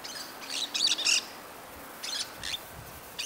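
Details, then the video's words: Southern lapwing (Quero-quero, Vanellus chilensis) in the Brazilian caatinga gives harsh, high, scratchy notes in short bursts, a quick run of about four, then two more after a pause. "Southern lapwing / Quero-quero - Vanellus chilensis"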